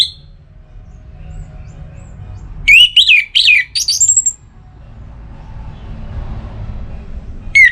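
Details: Orange-headed thrush from Singaraja, Bali, in breeding condition, singing to call a rival. A fast burst of looping whistles and harsher twittering notes lasts under two seconds, with a clipped note at the end, over a quiet low drone.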